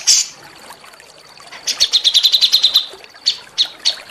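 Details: Small songbirds on a rough-burst training recording for white-rumped shamas: a quiet start, then a quick string of about a dozen sharp high chips, followed by a few scattered louder notes over soft background hiss.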